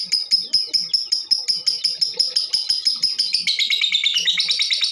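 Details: Female lovebird as a lure to trigger singing in other birds: quick, regular series of shrill clicking chirps that breaks midway into a denser, lower, warbling chatter, with faint low hum behind.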